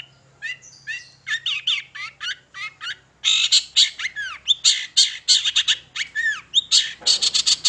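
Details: Long-tailed shrike song used as a lure to set other shrikes singing: a fast, varied stream of harsh squawky notes, chattering bursts and swooping whistles, growing denser and louder halfway through, with a faint low hum beneath.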